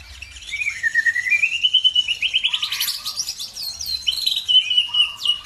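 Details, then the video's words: Birdsong for provoking other birds into song: a clear, rising and falling whistled warble, then rapid pulsing trills and sharp downslurred notes, with a lower steady hum heard faintly twice. "BIKIN EMOSI BURUNG NAIK IKUT GACOR"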